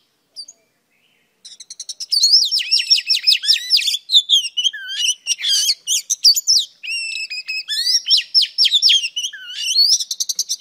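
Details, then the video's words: Female oriental magpie-robin singing to stimulate a male: after a brief note and a pause, a long, loud, varied run of whistled slurs, rising and falling sweeps and sharp chip notes, delivered nearly continuously. "Than mái hót kích trống P3 Oriental Magpie Robin Female"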